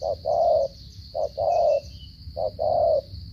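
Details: Spotted dove from Cà Mau, Vietnam, voicing the 'gù cà lăm' stuttering coo: three evenly spaced pairs of short note plus long mellow coo, roughly every 1.2 seconds, with high hiss behind.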